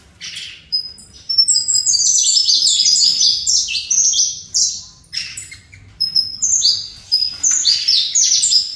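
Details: Fibra-style song of a captive-bred saffron finch: dense, high-pitched phrases of quick sliding notes tumbling downward, with a brief gap near five seconds before the phrases resume.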